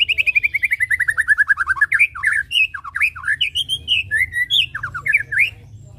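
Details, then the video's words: White-rumped shama opens with a fast run of about twenty falling whistled notes, then shifts to varied rich, fluty phrases jumping up and down. "Pancing bunyi burung Murai batu suka ngetem"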